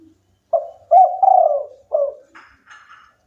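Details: Local spotted dove cooing strongly: a short note, a long falling drawn coo and a clipped final coo, followed by faint higher chirping from another bird.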